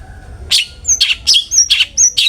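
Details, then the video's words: Long-tailed shrike, "ngeplong" song used to make other shrikes sing more; six harsh scratchy notes each followed by a thin, high whistled flick, evenly paced over two seconds. "cendet gacor NGEPLONG sangat ampuh buat PANCINGAN cendet agar RAJIN BUNYI"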